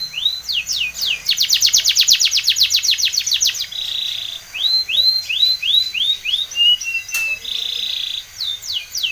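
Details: Spanish Timbrado canary singing for training: quick chirps leading into a dense rapid trill, a held buzzy tone, rising chirp runs and another held note.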